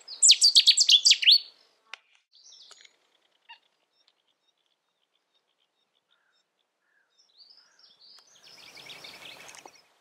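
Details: Song of a Cetti's warbler recorded in the UK: a sudden, loud outburst of quick repeated notes for about one and a half seconds. Scattered faint ticks follow, then soft high twittering near the end.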